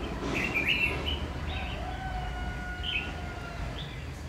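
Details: Red-whiskered bulbul during trapping, 7 August 2019: short chirpy, slurred phrases repeat roughly every second, with thin drawn-out whistles beneath and a low steady hum throughout.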